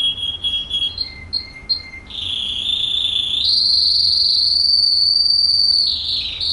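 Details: Russian canary song, recorded in Kuwait: short piping notes and a low steady whistle, then a long loud sustained trilling roll held for several seconds on a high note before shifting pitch at the end.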